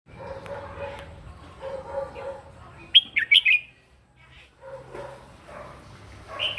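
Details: Red-whiskered bulbul giving morning fighting song for voice training: a brief burst of sharp, bubbling whistled notes mid-clip, framed by softer warbled phrases and steady lower tonal sounds.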